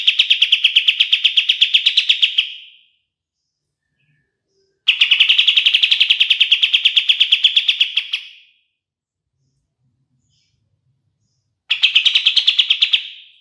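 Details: Black-capped bulbul (kapas tembak) song for training songbirds: three separate bursts of rapid, dense, buzzing repeated notes, two to four seconds each, tailing off softly, with clean silent gaps between them.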